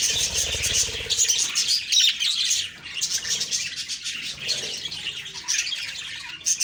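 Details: Budgies chirping in the morning, a lively run of high tweets and trills that swells and fades, with a brief low hum at the start.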